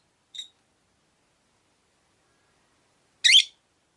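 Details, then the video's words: Rosy-faced lovebird, caged by a window among five birds, makes a tiny faint squeak, then after nearly three quiet seconds a single loud, grating chirp. "Lovebird Chirping Sounds"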